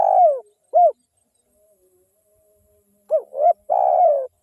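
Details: Lively local wild spotted dove calling as a lure: a long falling coo and a short coo, about two seconds of silence, then two quick clipped notes leading into a long throaty coo.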